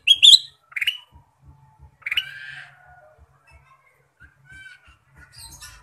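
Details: Lively Ruby-throated bulbul song full of fill-in phrases: a few loud, bright upslurred notes in the first two seconds, then softer trailing whistles and faint chatter fading out.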